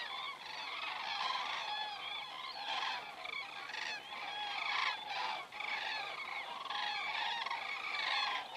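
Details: Common cranes passing over in flight, Estonia, crane camera recording of 27 September 2017 at 19:26; a dense chorus of rolling, trumpeting calls rises and falls in waves with brief dips.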